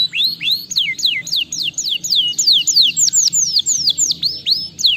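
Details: Canary singing to stimulate lazy canaries, a steady chain of loud, sweeping downward whistles, roughly three or four each second, clear and unbroken.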